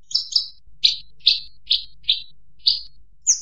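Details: Bushlark song: a series of short, sharp, high chirps. They come roughly every half second, some doubled, and end with a thin higher note. A faint low hum sits underneath.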